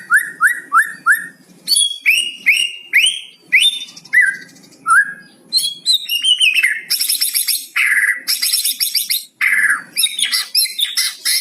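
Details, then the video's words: White-rumped shama song with a cucak cungkok fill, played to prompt silent shamas into singing: rapid varied phrases of rising whistled notes repeated in quick series, bursts of harsh high chattering and buzzy rattles, loud and continuous. "MURAI BATU ISIAN CUCOK CUNGKO"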